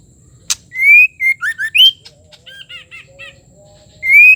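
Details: White-rumped shama female call aimed at rousing a male: a click, then a loud rising whistle with tumbling slurred notes, soft raspy chatters, faint low whistles, and the rising whistle starting again.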